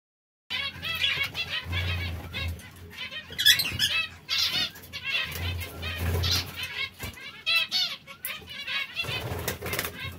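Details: Several caged canaries, brown, red and yellow, sing together in a busy chorus of high chirps, twittering trills and rapid warbled phrases that overlap throughout, with a steady low hum and soft wing flutters underneath.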